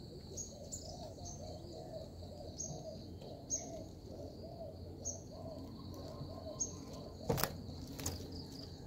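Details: Decoy zebra dove for trapping utters a fast sequence of soft, arched coos over about four seconds, then fades, while high chirps, a steady shrill hum and a sharp click sound.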